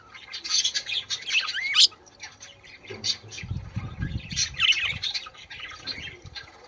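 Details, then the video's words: Budgerigar song used to prompt mating: dense, buzzy warbling with twisting whistled notes in two bursts, separated by a low rumbling flutter in the middle. "تغريد البادجي لتحفيز طيورك على التزاوج"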